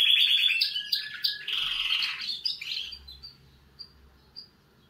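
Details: Baby canary starting its song, opening with a bright whistled note and rapid chirps, then a dense buzzy trill around the middle that fades into a few sparse thin whistles toward the end.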